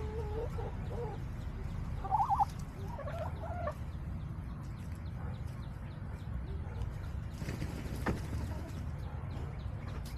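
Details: Backyard hens on July 17, 2024 give short clipped clucks in small bursts during the first four seconds, then fall quiet over a steady low hum and scattered faint ticks.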